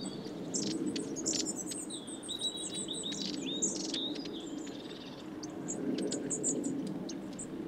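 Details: A flock of long-tailed tits at suet feeders at Saltersford Locks, Cheshire, in winter 2012/13 trade thin, very high see-see notes and short buzzy rattles, several birds calling at once over a steady low rumble.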